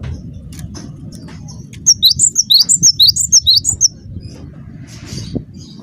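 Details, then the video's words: After a quiet stretch with low hum, a cinereous tit bursts into a rapid run of about twelve sharp, high alternating whistles lasting two seconds; this calling is intended to draw replies from other birds. "semua gelatik bakal NYAUT dengarkan suara ini"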